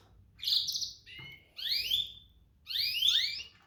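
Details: Three domestic canary calls, the first a buzzy, stuttering trill, followed by two clean rising whistled sweeps with bright overtones, about one second apart.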